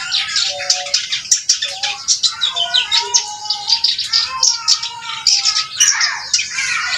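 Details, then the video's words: Reed warbler in full, lively song, a continuous torrent of rapid, grating chirps and buzzy trills over a thread of lower, clearer whistled notes, pulsing several times a second. "burung kerak basi gacor"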